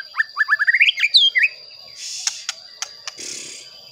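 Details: White-rumped shama song meant to provoke rival shamas, a quick rising run of whistled notes and a brief twist, followed by clicks and hissy noise bursts.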